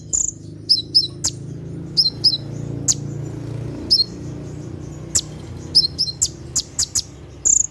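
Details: Sharp 'tembakan' song of a kolibri ninja sunbird recorded at night, meant for training caged birds: irregular very high chirps, clipped doubled notes and tick bursts spread through the recording, with a steady low background hum.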